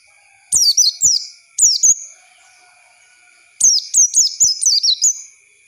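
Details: Lure song of an Oriental white-eye for young birds to learn from: short runs of sharp, high, falling chirps, a pause, then a longer twittering run, over a faint constant high-pitched hum.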